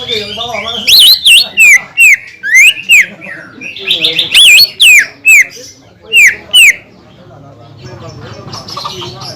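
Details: Greater green leafbird gives loud, looping whistled phrases and sharp descending notes in spaced bursts, a recording meant to provoke rival leafbirds into song; quieter chatter fills the gaps.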